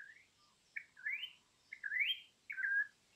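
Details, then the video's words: Campo troupial song from an imported bird used as a master recording: three rich, rising whistled phrases spaced about a second apart, each ending in a slurred flourish, over faint background hiss. "suara burung import campo troupial_masteran yang jarang orang tau"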